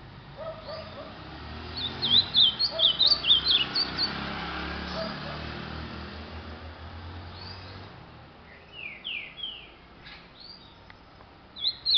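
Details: Ultramarine grosbeak singing a lot: a quick burst of high, warbled whistled notes for about a second and a half, then scattered fainter slurred notes and a final short phrase over steady background hiss.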